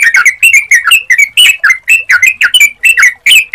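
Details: Sooty-headed bulbul song played as a lure: lively bubbly phrases of quick slurred, whistled notes, about four per second, loud and clean.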